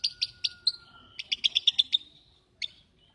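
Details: Lovebird calls heard as a few loud sharp chips, then a quick series of about seven clipped high notes and one final isolated chirp.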